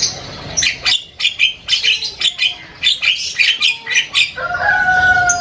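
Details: Loud, varied chatter from an Asian pied starling, a tumbling mix of harsh squawks and whistled notes, ending with two clear, steady whistled tones.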